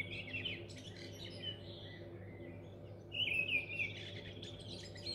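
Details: Mistle thrush singing in North Oxfordshire, May 2020: two short, fluty, slightly wild phrases separated by a brief pause, over a low steady rumble of background noise.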